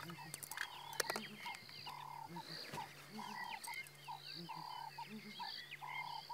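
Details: Wild, highly endangered southern ground hornbills at Djuma Game Reserve on 19 February 2017, calling unusually late in the morning with unseen birds answering. Deep, soft booming notes repeat in short rhythmic phrases about every second under a dense chorus of other birds.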